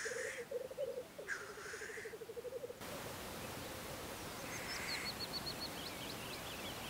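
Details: Spring black grouse lek in Russia; pulsing, gurgling bubbling with two hissing bursts for under three seconds, then an abrupt change to steady outdoor hiss with faint, high twittering birds.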